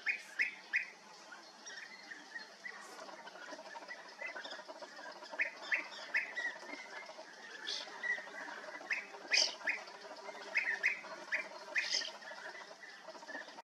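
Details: Several European bee-eaters at Bölcske give short, rolling, mid-pitched calls in frequent overlapping bursts, with some sharper high notes mixed in throughout.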